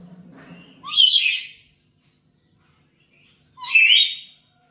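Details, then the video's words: Black-capped lory at home, calling actively as a lure or master recording for other birds: two loud, harsh, ringing screeches about three seconds apart, each opening with a short lower note, with silence between. "Pancingan Burung Nuri Kepala Hitam di rumah"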